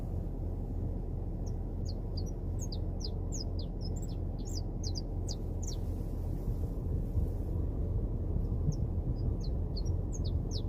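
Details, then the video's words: Wild saffron finch singing in nature: scattered bursts of short, high chirps, a busy run in the first half and a shorter group near the end, over a constant low rumbling background noise. "CANÁRIO DA TERRA NA NATUREZA"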